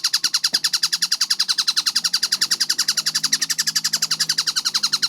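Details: Kingfisher, called tengkek buto locally, in a training recording for cage birds: fast, steady series of short, sharp repeated notes, nearly four per second, bright and high with a lower harmonic band, uninterrupted throughout; faint low hum beneath.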